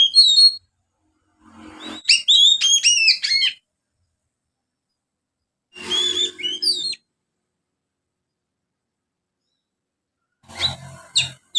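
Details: Young Oriental magpie-robin practising ngriwik with sparrow-like material: three bursts of dense, high chirps and slurred notes, separated by several seconds of silence, the last burst scratchy and clicking.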